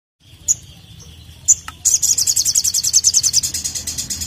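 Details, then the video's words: Ashy drongo singing loudly in rapid-fire style, used to prompt other birds to sing: a few sharp high chips, then a fast, steady, high-pitched pulsing trill of roughly twenty notes over a low background hum. "SOGOKONTONG Gacor Nemb4k l Untuk Pancing Bunyi"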